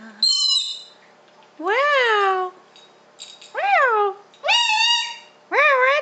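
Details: A pet 1.5-year-old male galah gives five drawn-out, nasal, whining calls in six seconds, each rising then falling like a cat's meow, while its owner praises it.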